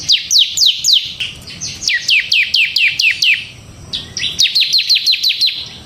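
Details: Bar-winged prinia of the ciblek semi type, singing in the prolonged ngebren style. Rapid, sharp, downward-slurred chirps fall in quick runs of about four per second, with a brief softer pause near the middle before the series resumes.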